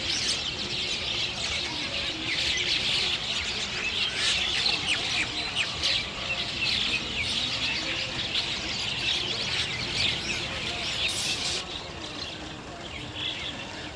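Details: Chestnut-tailed starlings in a dense, busy chorus of high chirps, squeaks and twittering notes overlapping continuously, thinning slightly near the end, with steady background noise underneath.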